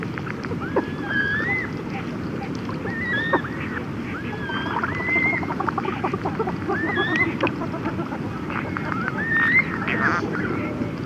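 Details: Red-gartered Coot adults and chicks exchanging conversational calls at close range: a run of short whistled, wavering notes every second or so, with soft clicks and a continuous low rumble beneath.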